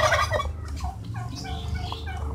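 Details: Farmed turkeys during grass feeding in Savar; a loud gobble opens, followed by softer clucks over a steady low hum of background noise.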